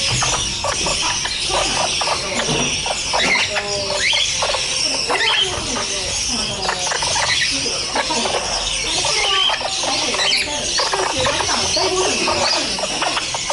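A red-fan parrot chatters steadily in harsh, rasping notes broken by sharp squeals, with a busy, almost speech-like jumble throughout.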